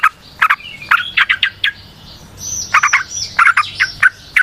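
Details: Wild yellow-vented bulbul, known locally as trucukan, giving lure song: clusters of short bubbly chirps with a brief higher squeaky phrase in the middle.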